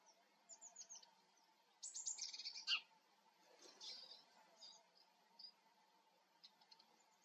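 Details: Eurasian siskin giving a short burst of high, thin chirps and twitters clustered near the middle, with a few faint scattered notes before and after over a steady low hum.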